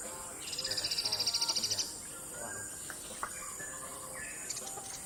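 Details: A Buff-rumped woodpecker in Nga Wun Reserved Forest, Taninthayi Region, Myanmar, gives a fast, high rattling trill of about fifteen even notes in just over a second, followed by faint scattered chips from other birds.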